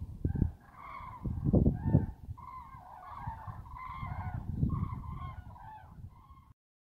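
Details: Cranes calling together: overlapping loud, trumpeting honks from several birds, repeated rapidly and irregularly throughout, set against low rumbling background noise.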